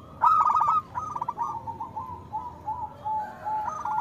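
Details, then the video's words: Local perkutut (zebra dove) cooing as a model to get lazy doves singing: a strong opening burst of rapid rolling coos, then a long, softer sequence of wavering coo notes drifting slightly lower in pitch. "Perkutut lokal gacor Suara Besar Pancingan Untuk Perkutut Susah Bunyi"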